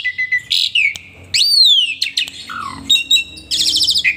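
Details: Asian pied starling in energetic song while bobbing and nodding: a varied jumble of clear whistles, sweeping slurred notes, a falling low whistle and buzzy rattling chatter.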